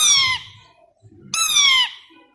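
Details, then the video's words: Tamed pet plum-headed parakeet, a two-year-old male that speaks Urdu or Hindi words and whistles, gives two loud, harsh squawks, each sliding downward for about half a second, separated by a short pause. "Talking Plum Headed Parrot | Talking Parrot | Talking Parakeet"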